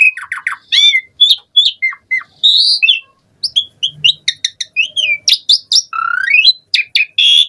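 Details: Varied song from an Asian pied starling, meant to prompt other starlings to sing: quick chirps, whistled phrases and a rising slurred whistle, delivered almost without pause.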